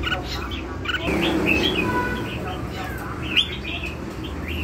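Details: Red-whiskered bulbul singing in the lân hầu bò style: short bright whistled notes and slurred rising and falling phrases, loosely repeated, with voices and a low steady hum underneath.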